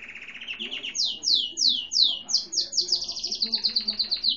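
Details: Grey and white canary, no defined breed, singing while a seedeater sang nearby: a short low trill, then loud sweeping notes sliding downward, then a rapid rolling trill repeated many times a second.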